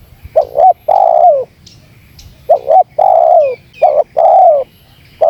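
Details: Lively spotted dove lure calling: double-note openers and long descending coos following one another quickly, with faint thin high chirps from another bird in the background.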